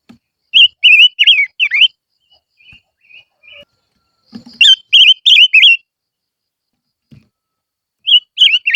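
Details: Silver-eared mesia sings lure song in bursts of four or five wavy, bouncing whistles. Soft lower notes sit between the bursts, with occasional low thumps.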